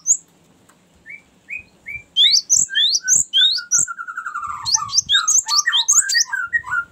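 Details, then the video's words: Cinereous tit in a long rolling "ngerol" song used for luring and tutoring birds. Slurred lower whistles open, then a fast run of sharp high notes slides into a descending rippling trill with mixed chirps. "ngerol panjang sangat bagus untuk pancingan gelatik batu dan masteran"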